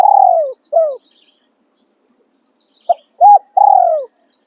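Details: Spotted dove used to lure others, crowing in khan riak and khan yon styles: two falling coos end one phrase, and after a two-second silence a clipped note, an arched coo and a long falling coo follow.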